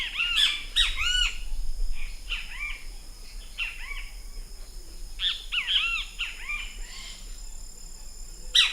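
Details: Great kiskadee, a bird of Brazil: loud, harsh, arched notes with rich overtones, given in tight bursts of two to four, repeating every second or so across the recording, with faint background hiss.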